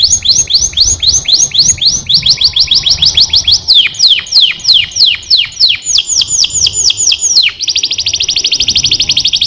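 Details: Canary in full song, loud and close: long series of rapid descending whistled sweeps repeated about three times a second, changing speed in several phrases, ending in a fast, even, buzzy rattle-like trill.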